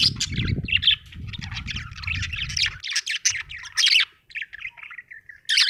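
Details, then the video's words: Happy budgerigar chattering: scratchy, warbling chirps and squeaks in a continuous stream, broken by short pauses, with some low background rumble early on. "Happy budgie chirping sound"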